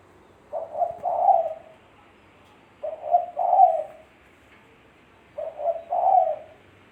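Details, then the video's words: Spotted dove (tekukur) song recorded cleanly for use as a lure. Three evenly spaced cooing phrases come about every two and a half seconds, each a quick pair of soft notes then a fuller, throaty drawn-out coo. "Suara Burung Tekukur Bersih-Suara Burung Tekukur Buat Pancingan"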